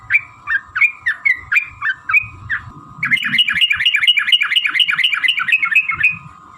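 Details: Sooty-headed bulbul lure song meant to set other bulbuls singing: spaced whistled phrases at first, then a rapid dense stream of chattering whistled notes, with faint low rumbling underneath.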